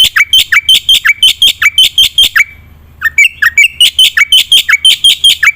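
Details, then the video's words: Black-winged myna singing, full varied song used to prompt silent birds to sing: rapid loud harsh chattering notes repeated about three per second, with brief downward whistles, a short pause midway. "coba suara burung jalak putih gacor full isian.. AMPUH untuk pancingan malas bunyi"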